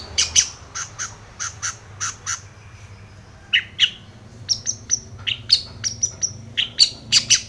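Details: Long-tailed shrike calling out a rival with a varied stream of short, sharp notes, clipped chirps alternating with brief harsh buzzes, delivered in quick irregular groups for over seven seconds.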